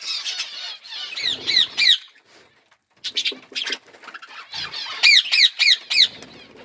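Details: A colourful budgerigar colony with growing chicks: quick runs of rising-falling chirps, three to five in a row, broken by a short pause, over constant soft twittering.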